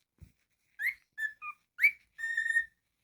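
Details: Pet cockatiel performing its whistled phrase indoors: a rising note, a level note, a short lower note, a louder rising note and a long steady closing whistle, after one soft thump.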